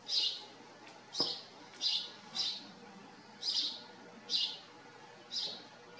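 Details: At a farm where they live, house sparrows utter single sharp chirps at irregular gaps, seven in six seconds, over a quiet background with a soft thud.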